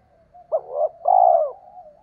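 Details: Single spotted dove phrase used to rouse males when training decoy birds: a short wavering double coo running into a longer, smooth, falling hoarse coo over faint low hum.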